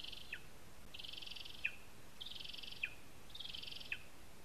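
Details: Lesser spotted eagle calling at a spruce nest, Zemgale, Latvia. Four harsh, high, rasping yelps, each drawn out and closing with a sharp falling flick, spaced about a second apart. A faint broadband hiss runs throughout.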